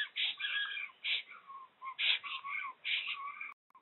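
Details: Black storks at a nest in the RDLP Łódź area, Poland, 15 April 2020, as a newly arrived female attacks the male, who gives up after a trial of strength. Wheezy, harmonic calls come in about five bursts within three and a half seconds, then stop abruptly.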